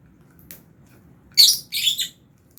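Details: Fischer's and albino lovebirds in an aviary colony while eating food; two harsh, high chirps in quick succession, the second doubled, over quiet low background hum.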